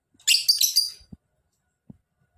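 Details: Lovebird producing one brief burst of harsh, rapid, high chattering, followed by a couple of soft low knocks.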